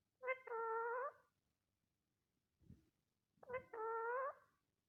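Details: Pet parrot making unusual sounds: two loud, nasal, horn-like honks about a second long each, separated by a brief low thump, in a quiet room.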